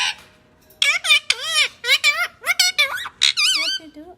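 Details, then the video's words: Talking pet parrot indoors, a short pause and then a fast burst of shrill, squeaky mimicked words with swooping pitch, in the manner of "papa, what you do" and "give me a kiss"; human speech nearby. "Parrot sound ❤️I love you"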